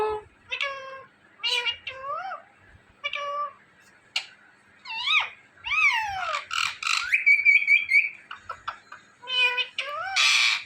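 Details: Indian ringneck parakeet talking: a rapid run of varied mimicked syllables, short mews, rising and falling slurred notes and a brief trilled whistle, ending in a harsher burst, with almost no background noise.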